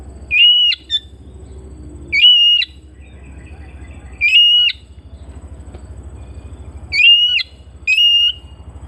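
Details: Home-kept Oriental magpie-robin repeating a long, level whistle five times at irregular intervals of one to two seconds, with steady low hum between the notes.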